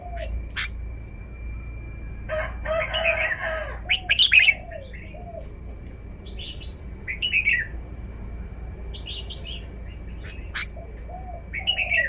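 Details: Red-whiskered bulbul kept as a cage bird, showing its song phrasing: short, scattered, bright warbled phrases and sharp clicks, over lower, slurred notes repeating in the background and a constant thin high tone.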